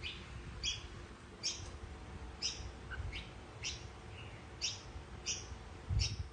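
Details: Red-whiskered bulbul, a mutant with platinum-white mottling, giving a series of eight sharp, high, downward chirps about every three-quarters of a second, with one soft lower note between them, over a faint low hum.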